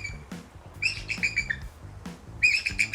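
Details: Bald eagle calling from a zoo enclosure in Montgomery, Alabama: bursts of high, thin, squeaky chittering notes in quick clusters, with music playing softly underneath.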